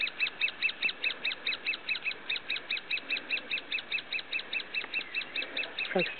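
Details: Great spotted woodpecker (Dendrocopos major) nestlings in the nest give a nonstop, high, scratchy chatter, about two or three harsh notes each second, with a faint low knock near the end; Finnemarka, Buskerud, Norway, 21 June 2009.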